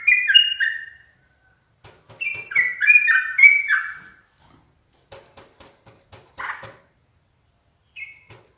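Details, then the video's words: Caged yellow-vented bulbul, teased often by its owner to make it sing more, gives bubbly whistled phrases dropping from high to lower notes, then a pause with faint clicks and a brief closing whistle. "TRUCUKAN sering di goda menjadikan burung semakin gacor dan bermental baja"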